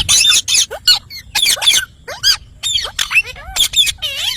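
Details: Parrot giving loud, dense harsh squawks mixed with shorter squeaky whistled notes, some sliding up or down, in a busy continuous stream with brief gaps.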